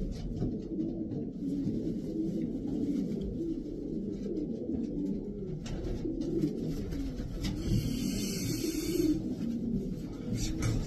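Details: A flock of racing pigeons cooing, low, rolling phrases overlap throughout, with a brief higher hiss or squeak near the end and some background clatter.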